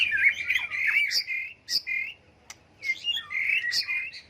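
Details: White-rumped shama pouring out a loud, harsh-edged warbling song in bursts separated by brief silences, its voice changing constantly, played to goad birds into singing contests.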